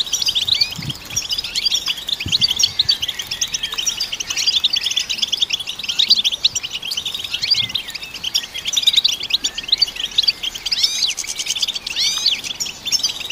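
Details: Long run of European goldfinch song for stimulating goldfinches, an unbroken, busy, high-pitched twitter of clipped chirps and occasional slurred swoops, with faint low thumps underneath.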